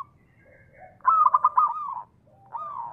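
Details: Zebra dove, a local bird kept to coax others into calling, giving a loud, clearly pulsed coo of five quick beats that slides down and fades, then a softer rising coo.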